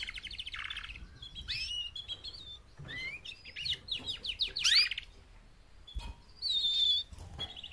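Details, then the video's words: Female canaries, four birds, calling to make males sing; buzzy trills, steep rising and falling sweeps in quick series, a sharp click, then a held whistled note. "BEST mating call 4 females canary EVER to MOTIVATE your CANARY to sing LOUDLIER"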